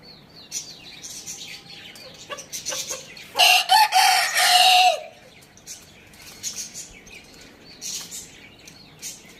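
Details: A rooster in the morning gives one loud, rough, strained crow of about a second and a half, surrounded by quieter clucking and scattered chirps.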